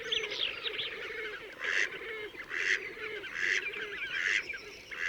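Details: Horned (Slavonian) grebes (Podiceps auritus) in Gavieze, Latvia, in May 2024, trading nasal squealing trills, several overlapping, with louder bursts every second or so over a faint hiss.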